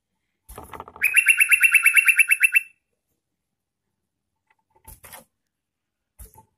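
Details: Lure song of a yellow-vented bulbul: a low rustling lead-in gives way to an energetic, evenly pulsed trill lasting under two seconds, then scattered soft rustles and taps.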